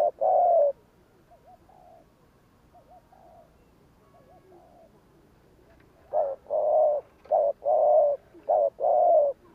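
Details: Spotted dove giving the 'gù kích' provoking coo meant to stir up wild doves: one loud coo opens, softer distant cooing fills the middle, then a run of loud short-and-long coos closes.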